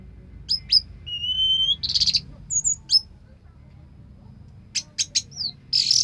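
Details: Anis merah, the orange-headed thrush, in 'teler' song: sparse high chips and a drawn whistle, a harsh burst, a pause, then quick sharp notes and a final rasping phrase, with steady low background hum.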